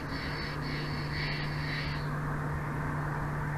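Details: Bald eagle at its Big Bear Valley nest, where a mated pair lives, captured by a live nature cam at 22:36 on 06/04/2024: a long, thin, high squeal run for about two seconds, then only low mechanical hum and breeze.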